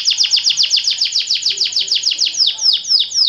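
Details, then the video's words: Canary of the white AF type in a long-duration song: rapid trill of high, downward-sweeping notes at about four per second, slowing near the end into wider, separated slurred notes. "KENARI AF PUTIH DURASI PANJANG"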